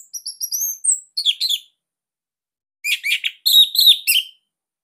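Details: High, thin whistled slurs open this captive Orange-headed thrush's phrase, followed by short buzzy chatters and a second rapid burst after a pause. The bird is from Bali and kept as a master singer.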